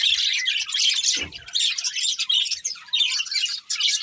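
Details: Budgie breeding pair chattering: lively high, grating warble in bursts separated by brief dips, with a short low rustle early on.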